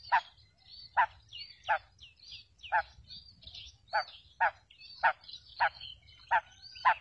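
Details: Female quail call, used to lure quails for trapping: short harsh notes repeated steadily about every 0.7 seconds, around ten in seven seconds, with faint thin chirps from other small birds and a low background rumble.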